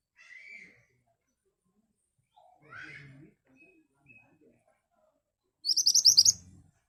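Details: Ashy tailorbird singing as a lure to draw replies: faint scattered chirps first, then a loud burst of about eight fast, piercing high notes near the end.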